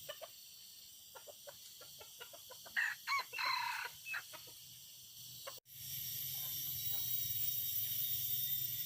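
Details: Red junglefowl in forest during a hunt; soft irregular clicks lead into a run of four loud, ringing harmonic calls, followed by a sharp break and steadier rushing background noise.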